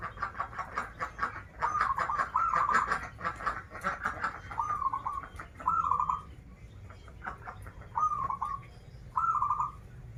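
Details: Zebra dove, local perkutut from Banten, with krital and warung kebek styles: busy chirping and clicks at first, then four distinct rippling coo phrases, each falling slightly at its end.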